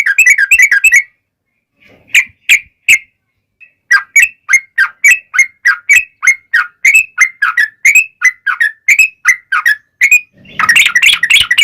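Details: Lure song of a yellow-vented bulbul in the long rapid-roll fighting style, meant to make other bulbuls answer: a quick chatter, then a long string of evenly spaced, slurred whistled notes ending in a dense burst.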